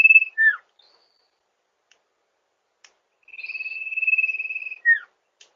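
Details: Sirpu or Sirdung bird song used to lure birds: a falling slurred note, a pause with faint clicks, then a long level whistle with a pulsing quality, ending in another sharp downward slur.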